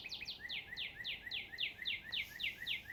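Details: Robins chirping in a forest in Canada as spring begins: a fast, steady series of sharp, downslurred double notes, about eleven in three seconds, bright and high, with only faint background hiss.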